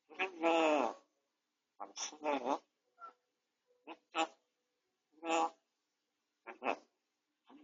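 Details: Grey parrot at home, still chatty despite beak-tip treatment, recorded by an indoor home camera: a long voiced word-like phrase followed by a series of shorter speech-like syllables and breathy bursts.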